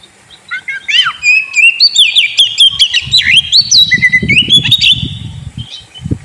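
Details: Oriental magpie-robin kept caged, its song used to stir a sulking bird: twisting whistles and quick trills in a lively run, with soft low thudding noise beneath.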